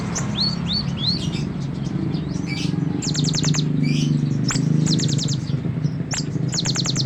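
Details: Sunbird singing as a tutor song for other songbirds: a few rising whistled slurs open, then rapid runs of sharp, very high chirps repeated in quick clusters, over a constant low droning hum.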